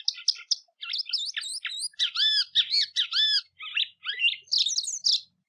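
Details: White-throated seedeater (Sporophila albogularis, golinha), song used to teach and train young birds: a fast, varied run of sweet chirps, slurred whistles and buzzy notes.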